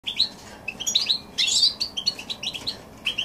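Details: Goldfinch x canary hybrid singing in January 2016: rapid twittering song of short chirps and trilled notes, pitch jumping between high phrases, with a brief buzzy burst mid-way.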